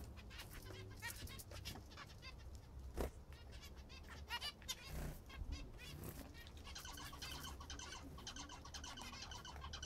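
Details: Several kept zebra finches eating their favourite food; short nasal, harmonic beeping calls come scattered through the clip, fairly faint above a steady low hum and some bumps.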